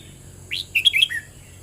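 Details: A red-whiskered bulbul gives a single brisk song phrase: a sharp rising whistle, a pause, then tumbling clear warbled notes that drop to a lower closing slur.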